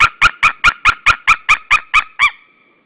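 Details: White-tailed eagle pair calling together at their nest at Saunja, Estonia, on 16 March 2013 around midday: eleven loud yelping notes about four per second, the last note longer and drawn out before silence.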